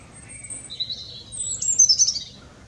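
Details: Robin in song from a tree near Clatto, Dundee, a string of high, thin, sweet notes with shifting pitch, rising into a brighter, intricate twittering flourish near the end; steady low rumble behind.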